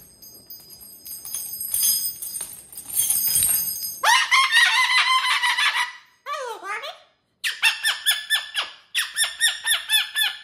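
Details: Pet cockatoo indoors, performing energetically on a TV stand: harsh, buzzy squawks at first, then rapid bursts of rasping, harmonic-rich notes and a wavering descending call, with short pauses between groups.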